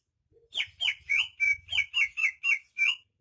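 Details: Greater green leafbird, locally cucak ijo, a rare bird native to Banyuwangi, sings a run of about nine clear whistled notes, each with a sharp upward flick, repeated roughly three times a second in near silence.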